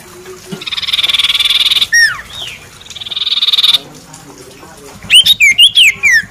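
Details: Common iora, called cipoh, described as a stage champion that others bow to: two long buzzy trills of rapid high notes, a few sharp downslurred whistles between them, then a burst of five loud whistled slurs, rising and falling.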